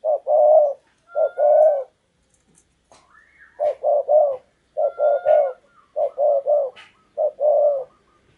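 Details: Spotted dove kept as a decoy to lure wild doves, giving low, hollow cooing phrases of two or three notes repeated in six bursts with short pauses; thin whistled notes from other birds sound faintly between phrases.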